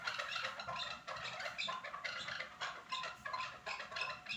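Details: Chukar partridge at Norak, dense overlapping run of harsh clucking chuk notes in quick bursts, several pulses each second, continuing through the whole stretch with slight pauses between phrases.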